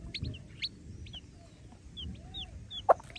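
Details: Mother hen with her chicks: faint, high, short down-slurred chick peeps scattered through the moment, ending in one sharp, louder hen cluck, over a soft low background rumble.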